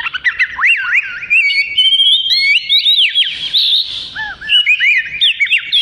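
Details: Oriental magpie-robin (kacer) in melodious song used for tutoring: a rapid, varied stream of high whistles, upward sweeps and sharp chirps, with a few lower, falling notes near the end.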